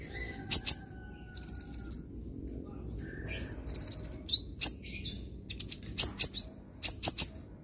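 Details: Sunbird singing, played to train a young bird to sing: sharp high chirps, quick rattling runs of clipped notes and brief piercing whistles, grouped in short bursts that grow busier toward the end, with soft low hum beneath.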